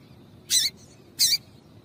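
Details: Two bright, high, buzzy chip notes about 0.7 seconds apart from a female double-collared seedeater, a call used to get males singing, against quiet low background noise.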